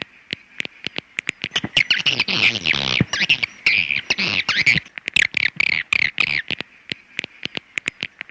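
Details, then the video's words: Swiftlets give dense, high twittering chirps mixed with sharp clicking ticks in rapid bursts, a busy chatter across the whole stretch. "Suara Walet"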